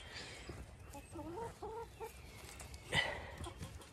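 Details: Chickens on a farm in County Kilkenny, Ireland, near a lamb trapped in their space, give a few short rising clucks, with a louder sharp squawk near the end.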